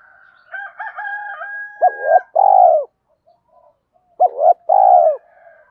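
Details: Spotted dove decoy calling with a loud, clear voice, used to train and lure wild birds; after a faint steady whistled tone, two low coo phrases sound, each with short hooked notes and then a long purring coo.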